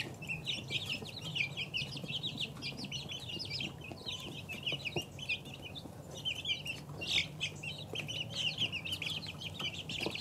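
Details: Two-week-old chicks fill the space with a continuous mass of high, thin peeps, short falling notes overlapping, plus occasional louder chirps and soft background rumble.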